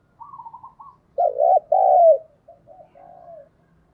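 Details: Spotted dove decoy calling to attract wild doves. A high, quavering trill gives way to a loud double coo, its second note long and sliding down, then soft fading coos.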